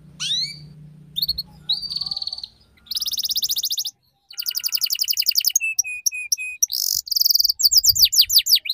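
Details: Canary tutor song for young canaries learning the ngeriwik style: rising chirps, then fast buzzy trills, rapid rattling runs, a row of short steady whistles, and quick downward-sweeping notes repeated in series. A low hum is heard at the start, then a brief cut.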